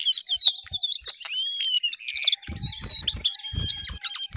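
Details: Jongkangan in full, lively song: dense high whistled sweeps and chirps tumbling up and down, with a faint low thumping in the background during the second half.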